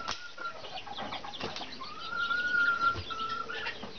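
A female bare-faced curassow gives a thin, steady, high whistle, a brief one then a longer drawn-out note, over rustling and flapping noises.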